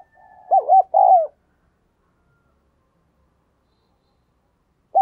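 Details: Decoy spotted dove giving thúc and gáy coos to attract wild doves: a low steady hum leads into two short hollow coos and a longer sliding coo, then silence before another call starts.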